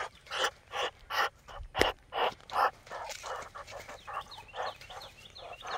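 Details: Several Muscovy ducks calling: breathy, hissing bursts repeated roughly every half second. The bursts grow softer and closer together toward the end, with a sharp click near the two-second mark.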